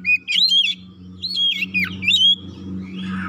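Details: Oriental magpie-robin, fierce fast lure song used to stir other birds: two rich phrases of looping, rising and falling whistles, the second ending in a dropping slur, over a constant low electrical hum.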